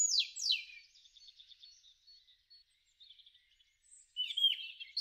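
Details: Robin in a garden in spring 2013 delivering high, clear descending whistles followed by a faint twittering run, then a fresh sharp, squeaky phrase starting near the end.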